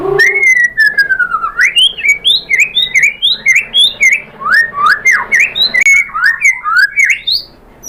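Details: White-rumped shama song used as a lure to provoke other birds into singing: a long descending whistle opening into rapid varied phrases of whistled, slurred notes rising and falling, with sharp high clicks and chips between, delivered in quick succession.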